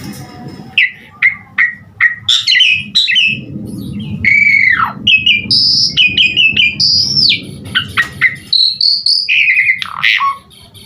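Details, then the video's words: Asian pied starling (jalak suren) singing in lively gacor style with full isian, used to prompt other starlings to sing: rapid varied whistled notes, rising and falling slurs, and harsh chips in a steady stream over a low hum. "Suara Jalak Suren GACOR Full Isian"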